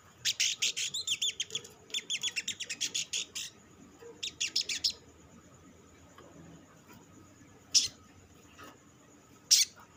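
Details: Olive-backed sunbird lure song used to make other sunbirds sing: three bursts of rapid, high, chattering notes, followed by a pause with two isolated sharp chips.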